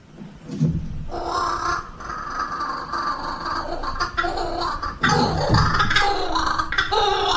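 Blue-winged kookaburra giving a harsh, raucous cackling call in rough bursts, building louder toward the end.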